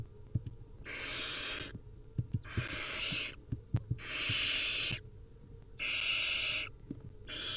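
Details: Begging wild barn owl chicks at feeding time: broad, rasping hisses almost a second long, repeated at intervals of about one and a half seconds, with sharp taps and knocks in the pauses.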